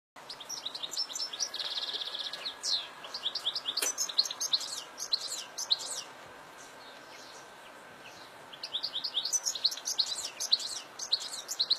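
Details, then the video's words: European goldfinch in the wild, in natural fields: bursts of rapid, tinkling twitters and buzzy trills high in pitch, with a quiet pause midway before the chattering resumes; faint background hiss. "Chardonneret à la nature"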